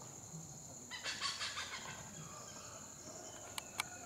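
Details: Black hornbill (Anthracoceros malayanus) shuttling at low level gives a quick, harsh cackling burst of about eight notes in one second over a steady high insect whine, followed by two sharp clicks.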